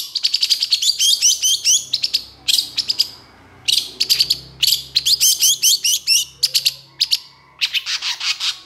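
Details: Long-tailed shrike singing excitedly, used to stimulate quiet shrikes into song: a fast, scratchy song of chattering notes and squeaky whistles in quick bursts, with brief pauses between phrases.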